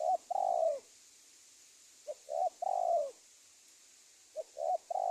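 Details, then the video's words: Wild-dove trapping lure from Indonesia featuring a spotted dove: repeated three-note phrases of a brief lead note, a rounded coo and a long falling coo, about every two seconds, with steady hiss. "SUARA TEKUKUR PIKAT"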